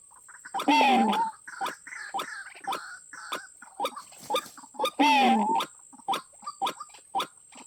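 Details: White-breasted waterhen sounds used as a trap lure: two drawn-out, wavering moaning notes about four seconds apart, with short clipped hollow notes scattered between them and a faint constant high hum.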